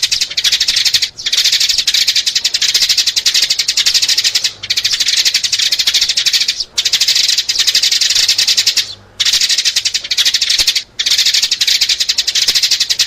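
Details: Sparrow calls used as a lure for trapping sparrows: dense bursts of rapid, high, scratchy chirps lasting one to three seconds, separated by brief silent gaps, with no other clear sounds.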